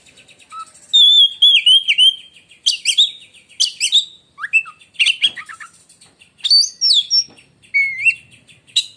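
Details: Oriental magpie-robin, a kept Indonesian songbird, pouring out a piercing lightning-strike song: warbling wavering whistles, harsh buzzy bursts and quick chirps in continuous phrases, a person saying "wek" afterward.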